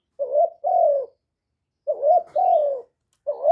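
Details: Low, mellow coos from a spotted dove used as a lure bird, recorded directly without extra noise. Two double-note phrases are separated by a pause of about a second, each with a short opening note and a longer falling note.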